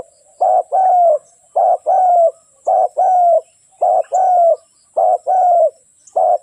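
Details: Decoy spotted dove calling to lure wild birds into a trap, giving a steady run of low, mellow coos: a short note then a longer falling one, about once per second, six pairs in all.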